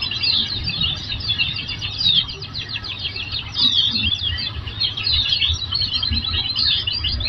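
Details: Oriental white-eye twittering song for training caged birds to respond: bright, fast, high chatter of short notes, slightly lower-pitched bursts rising and falling in loudness, with low rumbling background noise.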